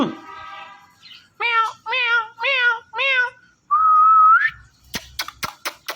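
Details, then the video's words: Indian ringneck parrot calling "Mithu": four evenly spaced, voice-like syllables, then a long whistle rising at its end, then a run of sharp clicks. "Indian Ringneck Parrot Calling Mithu Mithu"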